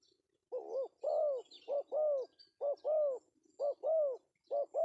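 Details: Male spotted dove giving the melodious 'pesom' style call, used as a lure: a short coo followed by a longer, arched coo, the pair repeated about five times in steady rhythm, with faint high chirps in the background.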